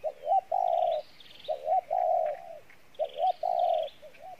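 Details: Decoy spotted dove cooing in the Pha Bài Lối style, with a good voice: three low phrases, each two short clipped notes followed by a long, steady hollow coo, repeated about every one and a half seconds.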